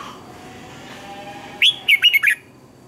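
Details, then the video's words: Red-whiskered bulbul, recorded as a training lure to teach caged birds to sing, with a morning song of double twisted notes: after a long quiet stretch, a short burst of four or five quick, loud whistled phrases near the end. "Luyện chào mào hót sáng hay nhất, Ép chào mào hót âm kép xoắn hay tuyệt, luyện chào mào hót căng lửa"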